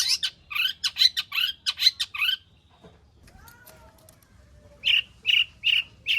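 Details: Long-tailed shrike performing its varied mimicked repertoire to draw other shrikes into song: a run of rasping notes, a quiet gap with faint thin whistles, then four even buzzy chirps.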